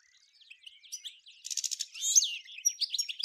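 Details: European goldfinch song in the 'nature' style, like birds of Ain Dalia dam, Djnane Bouecha and Firmet Djoudi, Souk Ahras (Taghast), Algeria, 1995: fast, high tinkling twitters and buzzy trills running together, louder in the second half.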